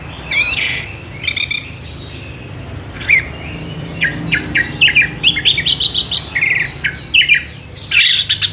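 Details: Evening song of an orange-headed thrush, recorded as a lure to set other birds of its kind singing: a loud harsh burst opens, then a rapid series of short, sweet, varied whistled notes running almost continuously to the end.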